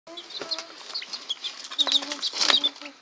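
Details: Partridge-colored chicks 20 days old and Gold Sebright chicks 34 days old, calling together: overlapping high peeping cheeps and short chirps, some lower clucking notes, fairly busy and continuous.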